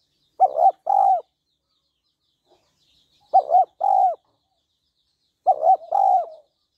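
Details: Calling to excite a male, a female spotted dove repeats a two-part phrase three times, a choppy doubled coo then a longer low coo, at steady intervals of about two and a half seconds.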